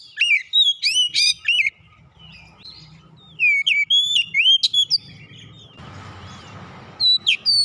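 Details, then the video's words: Lure song of an oriental magpie-robin meant to get reluctant birds singing: repeated bursts of ringing whistles, upswept notes and dense chattering, separated by soft warbled pauses, with a short hissing noise partway through. "PANCINGAN KACER macet bunyi sudah pasti ikutan gacor"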